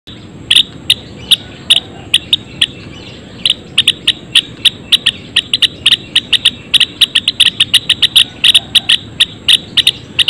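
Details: Several Java sparrows (Lonchura oryzivora) in a colony cage sing sharp, clicking chips at an uneven, rapid pace of about three notes a second, their calls overlapping.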